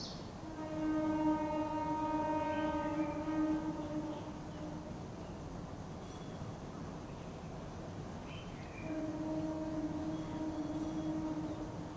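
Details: A train horn sounds two long, steady blasts over a low rumble of rail traffic; no animal calls are heard.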